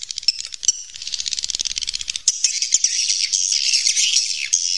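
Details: Cave-recorded wild swiftlets: a fast, rattling series of short high pulses, about two or three a second, merging into a continuous shrill twitter.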